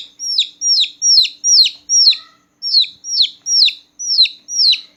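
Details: Newborn chicks chirping loudly at night, clear high peeps that rise slightly and then drop, repeated about twice a second with one short gap midway.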